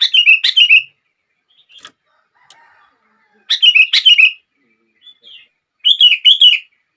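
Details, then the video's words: Song of a sooty-headed bulbul, used to trigger other bulbuls to sing: three short bursts of fast, bubbly chirping notes separated by quiet gaps with a few faint clicks. "Kutilang Lain gak bisa diam saat mendengar suara ini!!!"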